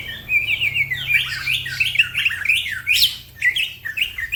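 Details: Green leafbird in fast, lively gacor song with other birds joining in: a nonstop run of bright, slurred whistles and chirps that swoop up and down, with sharper high notes near the middle.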